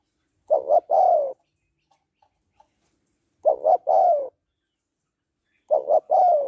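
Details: Hen spotted dove giving excitement coos for a male, three phrases of two clipped notes and a sustained dropping coo, with a few faint ticks between them.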